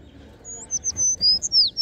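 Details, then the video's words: High, clear whistled notes from sparrows come in quick succession, several slurring downward, with short gaps between them over a faint low background hum. "Sparrows Sound"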